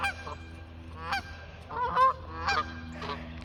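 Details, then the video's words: Geese in flight after being chased from a pond, giving a few spaced, strongly harmonic honks, paired at times, over a steady low hum. "Geese honking and flying"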